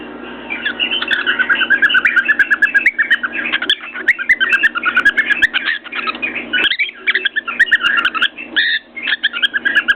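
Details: A pet cockatiel on top of his cage whistles and chatters almost without pause in quick, warbling bursts of rising and falling notes, with sharp tapping from banging his beak on a mirror and a low hum beneath.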